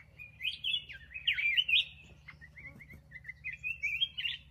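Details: Continuous warbling of a black-crested bulbul, a run of fluty, rolling whistled notes that dip and rise, with a few clicks and a steady low background hum.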